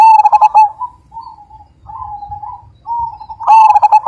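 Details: Majapahit-type zebra dove with a big voice: a burst of quick ringing notes, a stretch of soft, even cooing phrases, then another loud stuttering burst, over faint low rumble.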